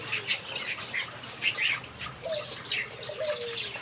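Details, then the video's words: Short bursts of high finch chirps in a backyard aviary, with a few thin, lower whistled notes sliding downward in the second half. "Watch these finches sing a beautiful melody in my backyard"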